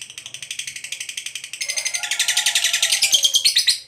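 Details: Long ngekek trill of a lovebird, the kind played to spur other lovebirds to sing: rapid rhythmic harsh chattering that grows louder and richer halfway through and keeps its quick, even pulse to the end.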